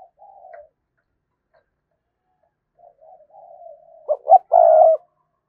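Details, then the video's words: Spotted dove lure bird calling to provoke wild doves: long quiet murmuring coos, then two quick sharp notes and a strong, sustained closing coo. "Tiếng Chim Cu Gáy Mồi thúc Gù Kích Bổi Cực Nhạy"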